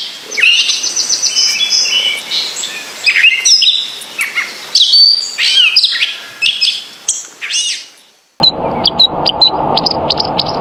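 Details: Small songbird singing a rich, fast medley of high chirps, trills and whistled phrases, with rising and falling notes; after about eight seconds the song thins to short high chirps over a steady low hum.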